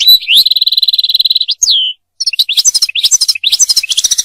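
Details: European goldfinch song for mating and song-training: a steady buzzy trill, a sliding whistle, then a lively run of tinkling chirps and twitters.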